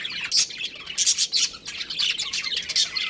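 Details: Short run of pet budgerigar chirping from a breeding pair: bright, sharp high chirps in quick clusters over a soft warbling background.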